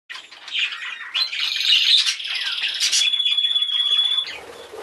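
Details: Hand-tame budgerigar chick, violet with a yellow face, giving continuous high scratchy chattering that swells and fades, ending in a long thin steady whistle.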